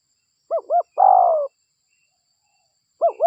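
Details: Lure recording of a local spotted dove, or derkuku: two quick looping notes lead into a long, smooth, downward-sliding coo. After a pause the looping notes begin again.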